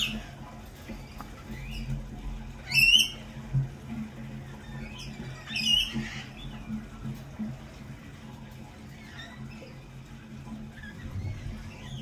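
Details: Lorikeets in spring at a lorikeet cafe give two loud, shrill squawks about three seconds apart, then fainter scattered screechy calls over a humming background.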